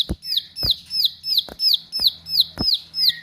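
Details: Bar-winged prinia singing vigorously with sharp notes: a rapid series of high, piercing, downslurred whistles repeated about three times a second, each preceded by a dull clicking thump, over a quiet background.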